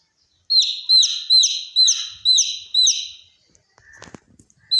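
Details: A string of six evenly spaced, high, downward-sliding peeps from a baby chick compared to a fire alarm, followed by a faint knock and one last peep.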